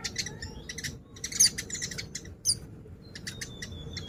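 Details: Oriental white-eye song: high, thin chirps and quick twittering notes in short clusters, a few sharper piercing peeps, with brief gaps and a faint steady hum beneath.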